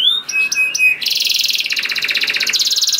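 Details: Canary singing as a lure to start other canaries singing: a rising whistle and a few clipped notes, then fast buzzy rattling trills that shift pitch twice.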